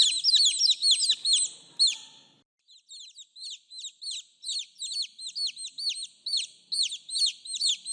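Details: Chicks calling to the mother hen: loud overlapping down-slurred peeps, a pause of about half a second, then a quieter, evenly spaced series of cheeps.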